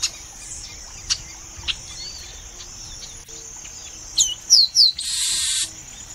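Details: Chestnut-capped Blackbird, a bird of Brazilian marshes and wetlands whose song has whistles recalling the chopi blackbird, giving three sharp, high, downslurred whistles in quick succession, then a brief harsh buzz, over a steady high background hiss.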